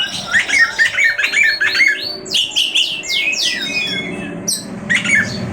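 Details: Oriental magpie-robin singing a song said to agitate other magpie-robins: quick chirped notes, then a run of loud downward-sweeping whistles and a few sharp high clicks, with faint background hum.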